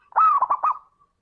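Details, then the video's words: Zebra dove singing actively, a recording used as a lure to spur reluctant doves to sing: one short, mellow cooing phrase that opens with a drawn-out note and breaks into three quick rolling pulses, then fades. "Suara burung perkutut gacor - Pancingan Super Istimewa"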